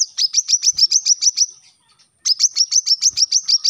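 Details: Rapid-fire song of a brown-throated sunbird, recorded as master audio for tutoring captive birds: two runs of about ten high, sharp, downward-flicked chips, separated by a short pause.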